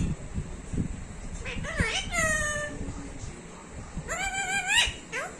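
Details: Pet talking parrot giving drawn-out, rising and falling vocal sounds with strong harmonics, mixed with background human speech and household noise.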